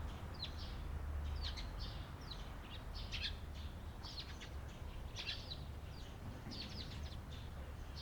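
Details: Eurasian tree sparrow on 28 April 2022: repeated quick chirps, roughly three each second, uneven in spacing, over steady low-pitched environmental noise.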